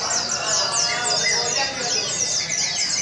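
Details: Several Oriental white-eyes competing at a singing contest practice in Sungai Pinyuh on 29 January 2017, pouring out shrill, fast, overlapping twitters and short descending chirps without pause, over a faint murmur of voices.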